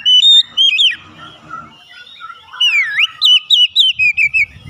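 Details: Ngeplong gacor song of an Oriental magpie-robin, played to coax other birds into singing: loud whistled notes and twisting slurs, then a fast run of repeated rising-falling whistles, with faint low background noise.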